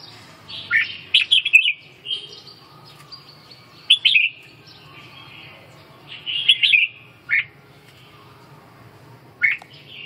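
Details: Red-whiskered bulbul giving short bursts of lively whistled and warbling notes, separated by pauses of a second or two, with a soft steady hum in the background.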